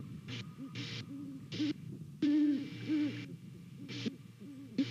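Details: Low hoots traded between a pair of great horned owls inspecting a nest in Savannah, captured by nest cam on a late November morning; several soft hoots, the loudest midway, with broadband static switching on and off.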